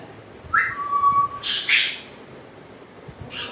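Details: An African grey parrot gives a steady, level whistle held for almost a second, followed by a short harsh screech and a faint raspy note at the end.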